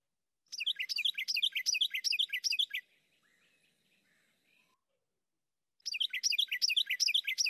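Carolina Wren singing two loud bursts of rapid, rolling whistled phrases, each repeated several times a second, separated by a few seconds of near silence.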